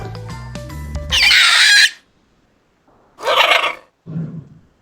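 Two loud, harsh, wailing screams, then a softer shorter third. A snatch of music plays just before.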